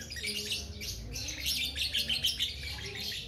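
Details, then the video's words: Young lovebird's ngekek chatter: a fast, shrill, rasping jumble of high notes running throughout, somewhat masked by a noisy low background. "TERAPI SUARA LOVE BIRD BALIBU GACOR NGEKEK PANJANG"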